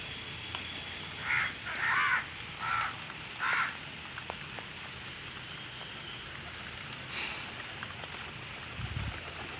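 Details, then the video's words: Crows cawing while feeding in the rain, with pigeons also present: four harsh, rasping caws in quick succession early on, then a single fainter caw later, over a steady hiss of falling rain. "crows and pigeons are making noise while eating in the rain"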